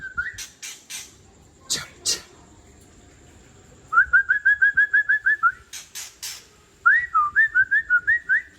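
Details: Mature wild-origin white-rumped shama from Tangse singing its harsh 'trek kasar' style, used to agitate other shamas: rapid runs of short repeated whistled notes, about eleven per burst, mixed with loud rasping broadband notes.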